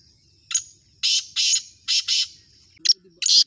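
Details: Black francolin calling in a series of harsh, grating, buzzy bursts. A short note is followed by four longer rasping notes in two pairs, then two more clipped bursts near the end. The background is quiet.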